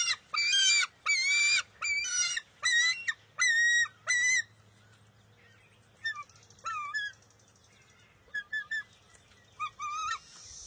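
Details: Bald eagle eaglet in a nest, fighting its mother for a fish on June 23, 2021: six loud harsh screams open the passage, then softer, shorter broken squeals and chips follow more sparsely.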